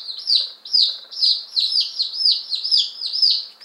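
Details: Day-old Appenzeller Spitzhauben and White Crested Blue Polish chicks, fifteen just delivered, May 19 2015, giving loud, piercing peeps that each drop in pitch, about eight in under four seconds, with faint softer cheeps behind.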